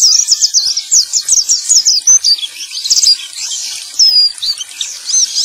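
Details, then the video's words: Male white-eye singing as a lure to restart song in stalled birds, quick thin slurred notes at first, then a brief break and looser, more scattered twittering phrases. "Terapi Pleci Macet Bunyi || Pancingan Burung Pleci Jantan!!"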